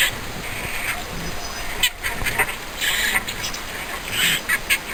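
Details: Pet green-cheeked conure giving harsh, raspy squawks in short bursts, with quieter gaps between calls and a person talking to the bird in the background.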